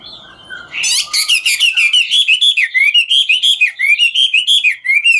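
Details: Chinese hwamei singing ngũ trường song while dancing; after a soft start, a loud, sustained chain of fast, sweet slurred whistles with buzzy edges, repeated about three per second.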